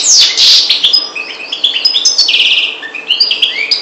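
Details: A parva goldfinch from the Maghreb delivers a lively run of high tinkling chirps and downslurred notes, with a drawn-out buzzy trill partway through before quicker twittering resumes.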